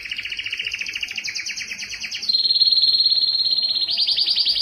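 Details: Belgian canary singing loudly to attract females for breeding: quick rolling trills at one pitch, then a higher smooth trill that rises toward the end, repeated several times per second.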